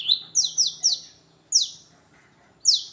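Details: Long-tailed shrike song used as a lure for other birds: loud, harsh downslurred notes in a quick cluster, then single notes after pauses.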